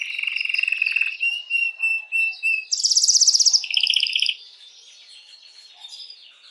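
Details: Singing canary used to stimulate females for breeding: a steady low trill, a string of clipped notes, then a loud high rattling trill dropping into a lower rolling trill, fading to faint warbles.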